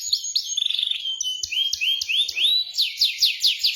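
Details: Canary song meant to get a quiet bird singing: quick trilled notes, sliding whistles, a series of rising upslurs, then sharp repeated downward strokes.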